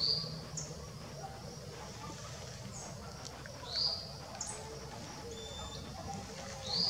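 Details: A female Violaceous Euphonia (Euphonia violacea) feeding, in Embu das Artes, São Paulo, gives short, high, sharp call notes about every three seconds, with faint thin chirps from other birds over low hiss.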